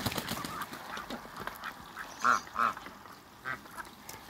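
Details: A couple of Muscovy ducks playing with water in a backyard. Two loud, short nasal quacks come a third of a second apart, then one softer call, with splashing and rustling behind.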